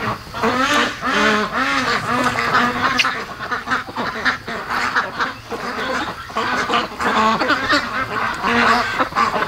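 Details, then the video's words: Around 3 AM a flock of pet ducks on day 73 of being raised stays awake, giving loud nasal quacks with a rising-falling shape in overlapping series, plus constant murmuring chatter from the group. "3:00 AM They Don't Really Sleep At Night I Wish They Did Though"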